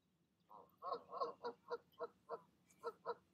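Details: Goose parents calling in the evening as they urge their goslings to leap from the nest; short nasal honks with harmonics, repeated about three or four per second in an uneven series.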